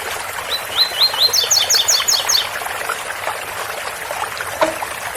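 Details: Double-collared seedeater giving the special tui-tui song, Ouro Fino, with water-spout sound: a run of rising whistles leading into a fast series of higher doubled notes, then trickling water alone.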